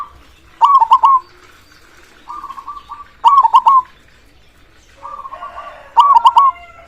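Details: A vigorously singing local zebra dove gives three strong bubbling phrases, about two and a half seconds apart, with gentler buzzy trills between them. A faint higher whistle overlaps near the end.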